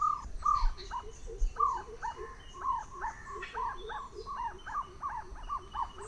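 Jungle Owlet giving a rapid series of hooked, mid-pitched notes, about five a second, swelling then fading; faint background hum and distant birds.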